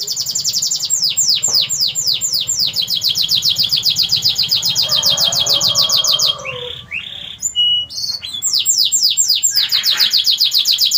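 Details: Lively 'gacor' canary song: a string of sharp downslurred chips builds into a long, rapid, high rolling trill, breaks into a few scattered squeaky notes, then resumes with more falling chips and trilling.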